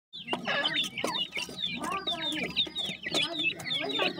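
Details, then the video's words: Partridge chicks being fed, calling in a busy chorus of high, thin, down-slurred peeps overlapping one another, with softer lower clucking notes underneath and a few sharp clicks. "yellow partridge bird chicks,partridge baby feeding"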